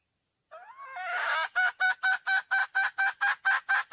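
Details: Red junglefowl hen in the wild calling to attract a male: a drawn-out, rising, strained note leads into a loud cackle of evenly spaced, nasal, pulsed notes roughly four per second.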